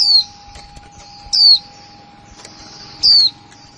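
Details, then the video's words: New female white-eye, 2020, repeating "kick mộc là líu" calls: three or four bright, high, downslurred notes roughly every one and a half seconds, against a faint hum and light background hiss. "khuyên mái kick mộc là líu , khuyên mái mới 2020"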